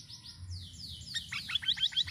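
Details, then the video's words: Sirisiri song recorded for luring birds. Sweeping high descending slurs, then a rapid series of short downward-flicked notes repeated about seven times a second, with low hum underneath. "GACOR UNTUK PANCINGAN BURUNG SIRISIRI DENGAN VARIASI SUARANYA"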